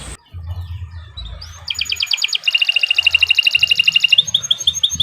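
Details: Canary's long 'gacor' singing used for teaching songbirds: quiet start, then a rapid metallic trill building in loudness, ending in quick high chirps.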